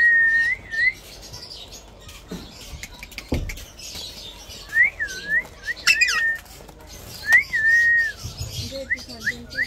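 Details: A baby talking Indian ringneck (rose-ringed parakeet) gives clear, wavy whistled notes, rising and falling, in short bursts every second or two, with light household clicks and knocks.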